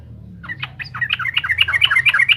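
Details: Lively Yellow-vented Bulbul (trucukan) song aimed at provoking rival birds: a series of chirping notes that speeds up and grows louder into a dense, bubbly chatter, with low background hum.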